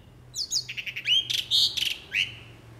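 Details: Jalak uret starling singing actively, a series of short buzzy chirps then bright whistled notes, some rising, with loud trilled bursts near the middle and a final upward-sweeping whistle; quiet low hum beneath.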